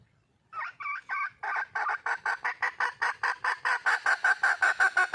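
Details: Wild junglefowl hen calling for a male, a loud insistent cackle: a few stuttering notes, then rapid rhythmic clucks, about three per second, continuing without pause.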